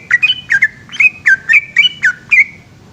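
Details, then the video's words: Short burst of a yellow-vented bulbul's night-time ropel song: about eight bright, gurgling whistled phrases, each a sharp upward flick and fall, delivered quickly before fading out. A soft low hum lingers. "burung trucukan gacor ropel panjang dimalam hari"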